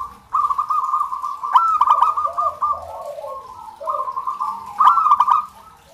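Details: Zebra doves singing, a local recording for training zebra doves to begin singing. Two long rolling cooing phrases of rapid beaded notes, each ending in a louder stuttered burst, with softer lower coos in between.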